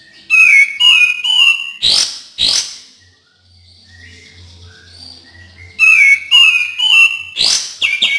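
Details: Cream-vented bulbul, sung to encourage reluctant birds: rich whistled phrases of three falling notes followed by two sharp rising swoops, repeated after a three-second gap.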